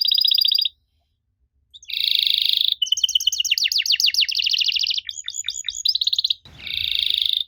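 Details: Canary song used to stir young canaries into reply: a short buzzy roll, a pause, then another roll, a run of sharp slurred notes, quick chips and closing buzzy rattles.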